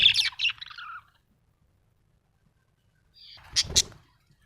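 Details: Budgerigar, described as happy, gives a short run of descending scratchy chirps, then after a long silence two sharp high notes with a soft thud.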